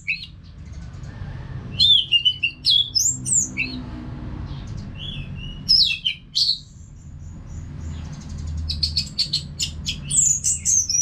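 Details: Orange-headed thrush kept caged, singing nonstop; varied loud phrases of twisting whistles, chips and rapid trilled rattles, delivered in bursts with short quiet gaps and a low hum behind.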